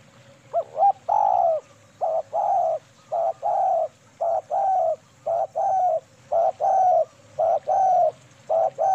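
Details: Female spotted dove in KUK 2 manggung song, recorded as a trapping lure: a steady run of soft, hollow coos, mostly short-long pairs with brief pauses, about a dozen notes, with low hum behind.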